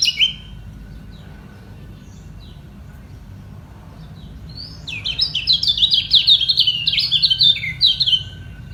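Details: Competing kecial kuning, equally strong and unwilling to give way, singing to hold their spot: a few soft high chirps early, then from about five seconds a loud, fast run of sharp twittering notes to the end.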